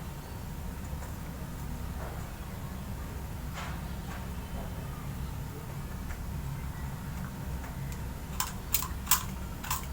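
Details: Steady low mechanical hum like a fan fills the room, with a few sharp clicks near the end and no animal voice.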